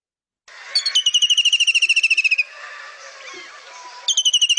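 A White-throated Kingfisher gives a loud, rapid, high whinnying trill of sharp repeated notes, about a second and a half long, then starts again.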